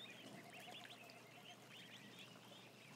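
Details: A crowd of ducklings, about a thousand, making dense high twittering peeps that blur together, partly masked by steady broadband noise.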